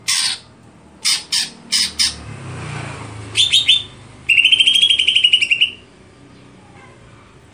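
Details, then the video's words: Greater green leafbird stelan song: a few separate harsh squawks over a low background hum, a short burst of chattering notes, then a loud fast trill lasting over a second before quiet returns. "Apakah Stelan Cucak Hijau Bisa Di Patenkan"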